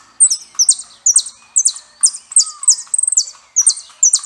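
A saffron finch sings a string of sharp, high chips, about two a second, with a brief quick burst near the end; faint lower whistles sound behind.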